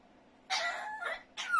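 A grey parrot talks in two hoarse, speech-like bursts, the first about two-thirds of a second long and the second shorter, with a quiet background.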